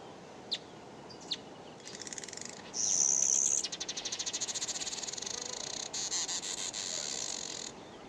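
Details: Several Southern Masked Weavers in sub-Saharan Africa, calling near a Common Cuckoo, chatter together in high, buzzy, sizzling trills broken by quick rattling ticks and short squeaky notes, running on for several seconds.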